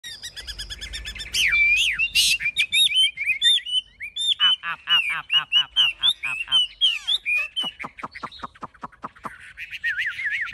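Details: Large-bodied caged Chinese hwamei with a fanned tail, high wings and a good voice, singing a varied, rapid phrase: looping whistled notes, then fast repeated descending strokes and sharp downward sweeps, with faint background music at the start.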